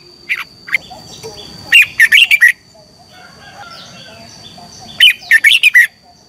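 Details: Competition-style morning song of a red-whiskered bulbul, meant to spur other birds to sing: two quick phrases of chirpy, bubbling notes separated by a few seconds of quiet, with a thin constant background tone.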